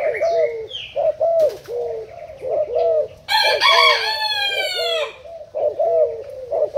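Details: Decoy spotted dove, Thailand type, recorded 10 April 2018: short hoarse coos near one per second run throughout, overlapped midway by a loud rooster crow with other fowl sounds.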